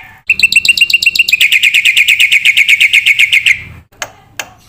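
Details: Masteran training recording of a Black-winged myna for young cage birds: a long accelerating run of harsh, ringing repeated notes, ending in silence with two short clicks.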